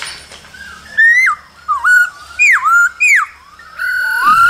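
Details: A male laughingthrush sings in the cold season alongside a female's calls: loud, rich whistled phrases that slur down and up, in four or five bursts about half a second apart, ending in a rising whistle.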